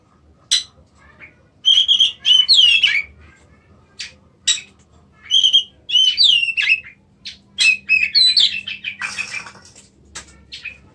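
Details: Song of a white-rumped shama, a kept bird in Indonesia: bursts of sharp clicks and varied whistled phrases, each burst lasting one or two seconds and separated by short pauses, with quick slurred notes between.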